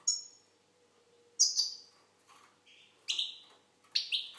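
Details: Algerian goldfinch giving three bright, high, descending twittery bursts, each fading out, separated by short quiet gaps that hold a faint lower note; a steady low hum runs underneath.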